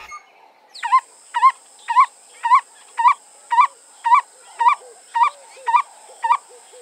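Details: A male Black-collared Barbet calls without his duet partner, which is rarely heard: a series of about twelve mellow, wavering hooted notes, roughly two per second, with faint softer notes in between.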